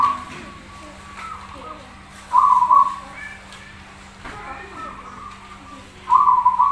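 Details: Prolific zebra dove singing for a masteran tutor recording: short, rapid, bubbling coo phrases, two clear ones about four seconds apart, softer warbled notes between them, over a faint hum.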